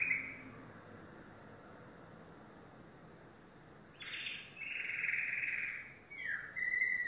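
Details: Yellow domestic canary song after a few quiet seconds: a short opening note, then a burst of rapid high trills and a rolling, fast-pulsed tour toward the end.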